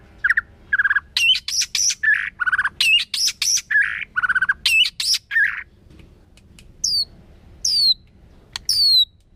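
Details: White-rumped shama singing in a wild, forest-style voice: loud alternating phrases of low whistles and high buzzy trills, repeated several times, then a few sharp high descending notes.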